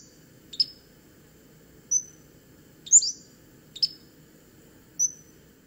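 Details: Pacific-slope Flycatcher, a canopy bird in Victoria on Vancouver Island, more often heard than seen, sings its quick whistle-like song: five high, thin, sharply slurred notes, roughly one a second, over a faint low hum.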